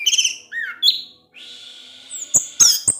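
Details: Evening song of an orange-headed thrush provoking rival thrushes: varied slurred whistles, a drawn-out thin whistled note, then sharp high clicks and rising squeaky notes.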